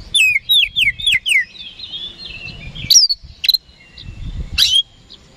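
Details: Oriental magpie-robin singing vigorously as a daily lure meant to provoke rival birds into replying: four quick whistled down-slurred notes in a row, then thin high whistles and sharp chips separated by short pauses.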